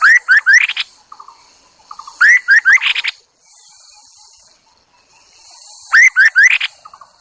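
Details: Decoy Chinese hwamei singing to lure other birds: three loud phrases of rising whistles, each of about four swift upslurred notes ending in a buzzy flourish, with brief soft chatter between and a faint hiss.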